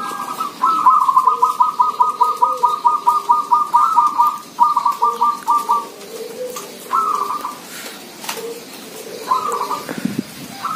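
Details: Zebra doves from a village setting, a lively chorus: rapid runs of staccato, bubbling coo notes at a steady mid pitch, one long run followed by shorter bursts, with softer lower cooing and other faint calls beneath.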